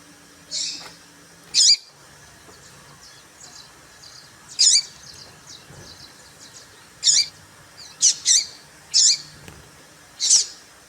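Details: Female seedeater (papa-capim) call meant to excite males and set them singing: sharp, high, squeaky chirps in short bursts, some doubled, spaced irregularly one to three seconds apart over faint background hiss.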